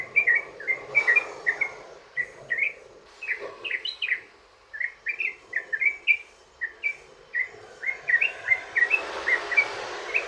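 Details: Long 'ropel' song of a yellow-vented bulbul, used to provoke other bulbuls into answering: a steady run of bubbly, slurred chirps in pairs and short clusters, with a brief burst of hiss near the end.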